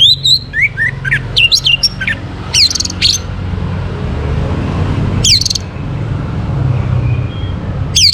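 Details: Orange-headed thrush heard at morning, a recording for bringing birds into breeding condition: busy run of rising and falling whistled notes, then separate sharp high slurs spaced seconds apart, with a continuous low drone beneath.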